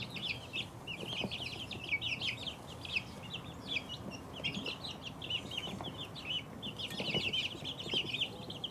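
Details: Two-week-old chicken chicks peeping in a busy chorus, many high short chirps overlapping continuously, some rising or falling, with faint low rustling and knocks underneath.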